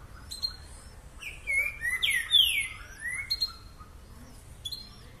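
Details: Green-winged saltator singing the boca mole boi style: clear, powerful slurred whistles that swoop downward in a rapid phrase at mid-clip, framed by faint high chips and soft background hiss.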